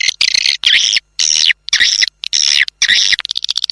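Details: Outdoor test of a swiftlet attraction sound used to bring birds indoors to nest: about six rasping, buzzy high calls, each roughly a third of a second, with clicking chirps at the end.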